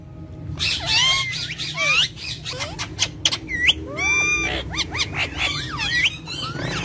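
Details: Talking parrots of one family, playing and speaking in Urdu and Hindi, produce dense harmonic chatter with bending, looping whistled syllables and brief squawks, nearly continuous throughout.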